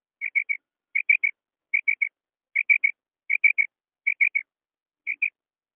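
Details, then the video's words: Female quail calling, a natural recording offered for hunting use: short clear notes in tight groups of three, each triplet repeated roughly every 0.7 seconds over a silent background. "Female Quail Call Sound Effect,Female Quail Calling Sound for Hunting,Madi Batair Ki Awaz Real Sound"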